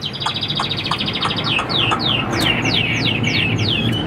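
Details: Captive Chinese hwamei, described as about 85% tame: rapid rattled notes, then a series of loud, falling whistled slurs repeated about every third of a second, over a steady background rumble.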